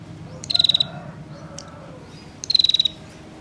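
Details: Two high, buzzy rattling trills about two seconds apart from a female bar-winged prinia calling to draw males into answering, over low background rumble.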